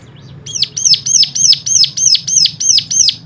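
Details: A cigun-stimulating song: after a short quiet lead-in, crisp high rising-and-falling notes repeat steadily about three per second over a faint low hum.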